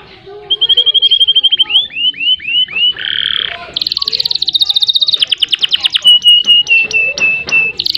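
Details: Canary singing as a master recording meant to prompt a stuck canary into long rolls: loud rapid series of repeated whistled notes, a run of falling slurs, a buzzy burst, then fast high trills and slower repeated falling whistles.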